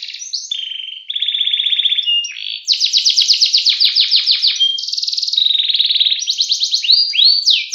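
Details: Canary singing continuously in the ngerek ngacor manner, a mix of fast buzzy rolls at varying pitches and rapid, sharply slurred high notes, each phrase flowing straight into the next.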